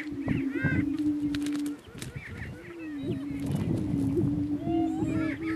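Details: On a northeast Kansas lek, two male Greater Prairie Chickens contest dominance; a low sustained boom carries throughout while bright cackles and upward-sweeping whoops come in clusters, with a brief lull near the two-second mark.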